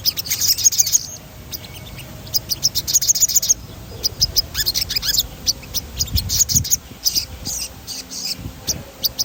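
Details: Crimson sunbird's rolling song, used to provoke other birds to sing: repeated bursts of quick, very high trilled notes separated by thin chips and brief gaps, with a low background hum.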